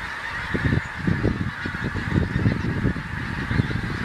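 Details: Flock of geese passing over Ormskirk Moss in Lancashire as the seasons change, a skein arriving on migration; loud, continuous massed honking with many low, clipped calls overlapping throughout, over steady background noise.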